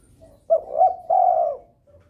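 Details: A single phrase from a breeding spotted dove calling to rouse rivals: two quick low notes run into a long, even, mellow coo, with a faint soft coo after.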